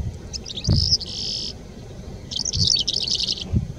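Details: Calandra lark singing in Bardenas Reales: bursts of high, rapid, scratchy twittering and a sustained buzzy trill, pausing and resuming, with low thumps and wind rumble beneath.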